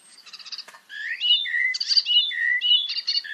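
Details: Icterine warbler song recorded in Germany: a fast, varied run of chattering, squeaky and whistled two-note phrases, each phrase unique, sounding almost electronic like a child's game, with faint rustling of trees behind.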